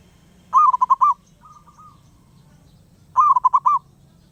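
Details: Wild zebra dove calling nonstop: two bursts of four to five quick, rounded cooing notes about two and a half seconds apart, with a softer trailing run of coos between them over a low background hum.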